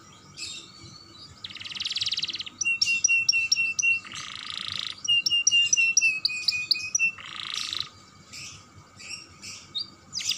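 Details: Young canary singing as a stimulus for other canaries: bursts of dense buzzy trill alternate with sharp high chips and steady thin whistled tones, separated by brief pauses.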